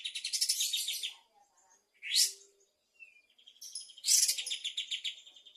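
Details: Bulbul in full afternoon song: a dense trilled phrase, a brief gap, a loud upswept note, then rapid chattering repeated notes running to the end.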